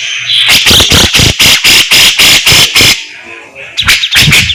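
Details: Grey-cheeked bulbul singing energetically: a burst of about ten loud, harsh, squealing notes at steady pace, a short pause, then more of the same.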